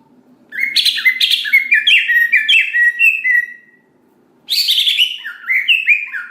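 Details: Greater green leafbird belting out song to spur other green leafbirds into singing: a dense cascade of descending chirped notes lasting about three seconds, a pause, then another rapid burst of sliding whistles.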